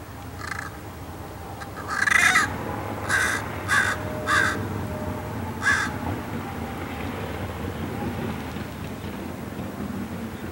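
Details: At Paramount Ranch, Santa Monica Mountains, California, on 30 January 2021, a Common Raven gives about six harsh, raspy calls at uneven intervals over five seconds, against a steady low rumble of distant noise.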